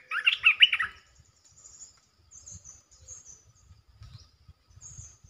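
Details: Red-eyed bulbul territory holder giving the calling style: a quick, dense burst of chattering warbled notes lasting under a second, followed by quiet with faint high tones and low background rustle.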